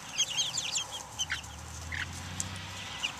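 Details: Outdoor chicks, Buff Orpingtons, Black Australorps and Ameraucanas, recorded in 2010; quick bursts of piercing peeps in the first second, then single chirps, with a low hum beneath.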